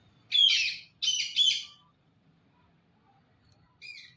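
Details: Talking parrot called "Mithu": three loud, harsh, buzzy squawks in quick succession, then quiet, and a short fainter two-part call at the end, with a person saying "Mittu" before it.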